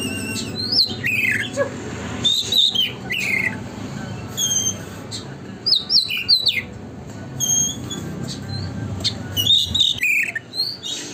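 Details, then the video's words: Oriental magpie-robin in energetic, nonstop song, used as a lure to make another magpie-robin open its tail: loud, sharp whistled phrases that slur up and down, given in bursts separated by short pauses, over a low background hum. "burung kacer gacor konslet,pancingan agar kacer buka ekor"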